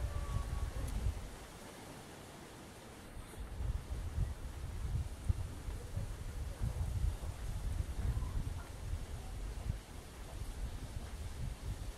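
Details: Only low wind rumble and rustling outdoors, with no clear animal calls.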